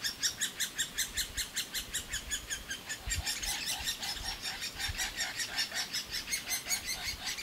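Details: Young great spotted woodpeckers begging continuously for food at a nest in an old aspen; a fast, regular series of high chirps that turns denser and more blurred in the second half.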